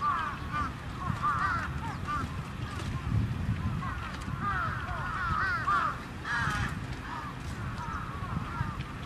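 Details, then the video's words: Many trapped crows calling at once, a dense run of short curved caws overlapping throughout, with a few louder harsh clusters and a low background rumble. "Crows Trapped"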